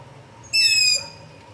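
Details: Long-eared owl begging call near a house after dark, captured via Zoom H5 and LOM Usi Pro microphone: a single strong, piercing, squeaky-gate screech of roughly half a second, tapering off, over faint low background hum.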